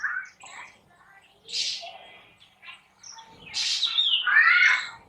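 Black Drongo giving harsh, scratchy chirps and squeaky, metallic notes in uneven bursts, the loudest a rising screech near the end; faint background murmur.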